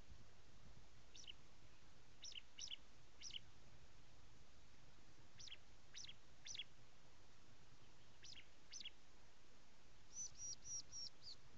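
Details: Prinia, locally called ciblek or jabang karang, giving short high chirped notes in scattered bursts, each a quick downward-sweeping pair, ending in a faster run of thin repeated notes.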